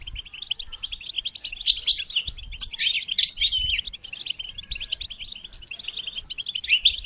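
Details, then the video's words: Goldfinch song played to train songbirds: a fast, continuous run of high twittering chirps and trills with buzzy notes and sharper bursts near the middle, no pauses, over a faint low rumble. "integrated stimulation suitable for all songbirds for goldfinches"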